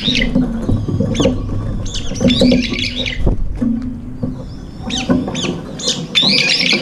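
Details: Several brown-eared bulbuls crowding in for a morning meal, one pecking another to eat alone; shrill squealing calls in scattered bursts, with a quiet gap midway and low background hum.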